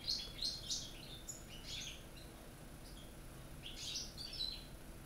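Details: European goldfinches kept caged, the Corsican bird heard with one from North Africa and a little one from Spain, deliver true Corsican-style song: clusters of tinkling, liquid chirps and short trills in bursts separated by brief pauses, with steady hum beneath.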